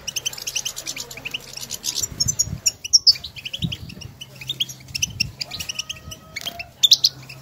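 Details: European goldfinches in the wild calling to each other with stimulating chatter: rapid high twittering chirps and buzzy notes in dense bursts, with a steady low hum and a few soft low thumps beneath.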